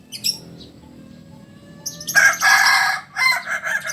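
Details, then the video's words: Kukuak Balenggek rooster from Solok giving a loud, harsh, broken crow in pulsed bursts after a faint rising note, the syllables rough and noisy rather than clear. "Ayam kukuak balenggek ayam asli solok"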